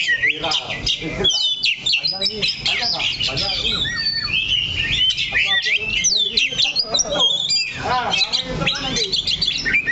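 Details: A kacer or Oriental magpie-robin sings on its perch, not moving from one spot, with dense varied whistles, trills and rising slurs over ten seconds, and people talking in the background.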